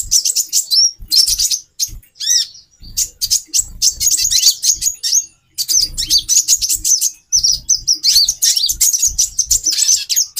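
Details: Mating-drive call of a female brown-throated sunbird, aimed at stimulating a male: long runs of fast, shrill twittering, one clear looping whistle early on, and several short silences, over muted low knocks.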